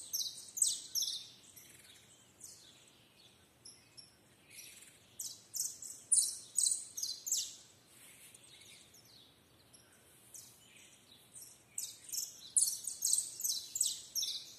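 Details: Canary pouring out a long, varied song: fast runs of high, crisp, stuttering notes in clustered bursts, a lull in the middle, then a dense, energetic stretch of repeated chirping phrases.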